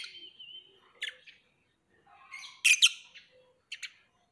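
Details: Sparse lovebird chirps: a thin wavering whistle, then isolated shrill clicks and a loud double squeak, separated by quiet gaps.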